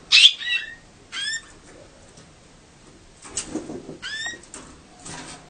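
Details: A Gloster canary gives its mating song: short bursts of bright, high chirps and sliding notes in phrases roughly every second, with pauses between them and a quiet room behind.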